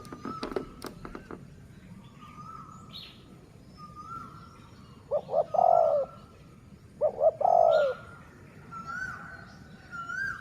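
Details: A decoy dove of the city line gives two low cooing phrases, each two short notes then a longer falling coo, while other birds whistle thinly in the background.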